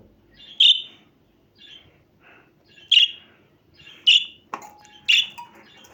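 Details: Budgerigar chirping: sharp high chirps spaced about a second apart, some softer and fainter between them, with a brief click and a low steady tone near the end.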